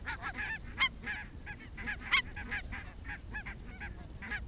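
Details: Barnacle geese flock on an evening walk in Arabia, Helsinki, 1 October 2014, calling in a lively stream of sharp, high barking yelps, several birds overlapping, with a few louder honks standing out.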